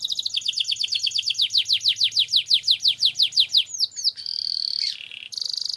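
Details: Canary in lively song with a long roll, played as a training lure for contest canaries: long run of repeated sweeping downslurred notes accelerating then slowing, followed by a buzzy sustained roll and a fast trill.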